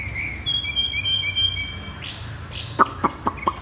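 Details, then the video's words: Caged Chinese hwamei in "thắt cổ chai" style song: a few thin, level whistled notes, then a rising slur and a short run of sharp, evenly spaced clicks. "Chim hoạ mi đặt đất hót thắt cổ chai thắt cổ chai"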